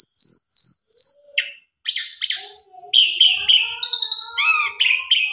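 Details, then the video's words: Jalak suren (Asian pied starling) in lively lure song with rich fill-in material: three steady high whistles, harsh downward bursts, then varied whistled phrases, warbled upslurs and faint low tones beneath. "Pancingan Jalak Suren Gacor Isian Mewah Cocok Buat Jalak Suren Macet Biar Gacor"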